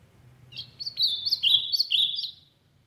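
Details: Ultramarine grosbeak from the Brazilian sertão singing loudly: a short warbled phrase of rich, slurred notes rising and falling, delivered in quick succession over about two seconds, with faint low background rumble.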